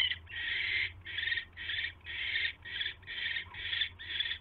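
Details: At the owl nest on 29 January 2016 during an evening mouse delivery, continuous harsh screeching bursts repeated about twice per second, some drawn out, above a soft hum.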